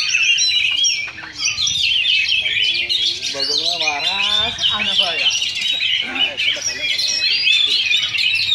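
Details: Oriental magpie-robins in a caged singing contest, a Sunday practice event at Sindanglaut, session 2; dense overlapping whistled and chattering phrases fill the high range throughout, with men talking in the middle.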